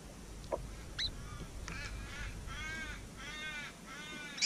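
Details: Very animated Willie wagtail fledglings near Mannum, South Australia, give harsh, rasping, buzzy calls in a run of short bursts after a few sharp chirps, recorded up close over a low rumble of wind.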